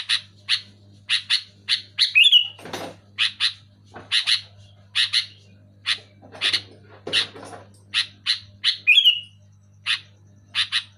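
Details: Sooty-headed bulbul, loud and clear, to rouse caged bulbuls that have stopped singing. Brisk paired harsh chips run steadily, twice broken by a short upslurred whistle, with scattered clattering knocks and a low hum.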